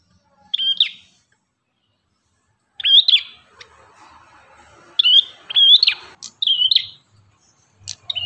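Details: An ashy tailorbird sings sharp, high, trilled bursts of notes in short phrases separated by pauses of one to two seconds, against a quiet background.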